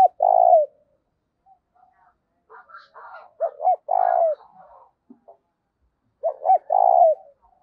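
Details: Decoy spotted dove used to draw in wild doves, 'giọng thổ' voice: three deep cooing phrases, each a few clipped notes then a drawn-out coo, with faint chirps and rustling between them.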